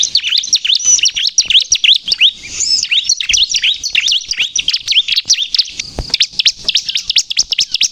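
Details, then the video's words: Excited bar-winged prinia song, used to trap and provoke rival birds: eight seconds of fast, tumbling, high chirps and down-slurred whistles, jumbled and continuous, with light clicking noises. "suara burung ciblek kristal gacor untuk pikat dan pancingan ciblek bahan agar bunyi emosi"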